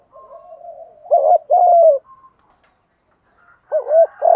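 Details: Spotted dove cooing used to excite decoy birds, male and female included. A faint low murmur, then a loud double note and a long falling coo, a pause, and another phrase beginning at the end.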